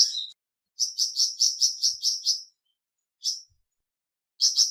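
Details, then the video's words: Flamboyan bird giving short runs of thin, high chirps, about five to a phrase, with one lone note and long quiet gaps between phrases. "Terapi Cepat Bikin Burung Flamboyan Buka Paruh dan Gacor"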